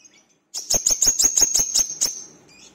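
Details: Brown-throated sunbird, locally called wiceh or manggar, singing energetically as a lure to prompt other birds to sing: a quick run of about eight sharp, very high chirps riding over a thin sustained whistle, then a fading tail.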